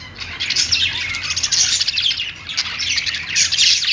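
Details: Budgerigars on a perch giving continuous high, scratchy warbling song, rapid chirps and squeaks rising and falling in waves, with a short quieter dip in the middle before the chatter resumes.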